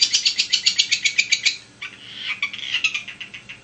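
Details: Long-tailed shrike lure song: quick even chattering notes, about four per second, then softer, wavering warbled phrases.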